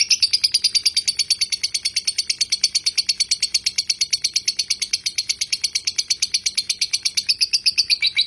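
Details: Lovebird delivering a long ngekek chatter, a tutor recording for training birds: a fast, unbroken string of shrill, scratchy notes repeated about three per second, steady throughout, with no other clear sounds.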